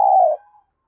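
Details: Spotted dove used as a decoy to stir up other doves, giving a single deep, smooth coo that holds level for a moment and then fades, with nothing else around it.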